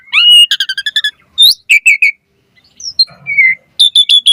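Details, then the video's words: Varied, vigorous song of an Asian pied starling meant to prompt other starlings to sing: a fast run of about eight rapid harmonic chips, louder squeaks, a falling slurred whistle and a final series of four sharp notes. "Suara Jalak Suren Gacor Full Variasi Materi Ocehan - Pancingan Burung Jalak Gacor Full Isian Mewah"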